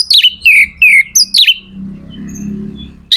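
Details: Magpie-robin (kacer) song to get other kacer singing: a quick string of downslurred whistled notes, then a low hum fills the background.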